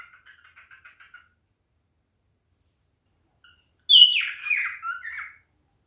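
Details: Male pet cockatiel in hormonal mating behaviour, whistling toward a female: a soft run of repeated chirps, a pause, then a loud squawky whistled phrase that falls in pitch, indoors.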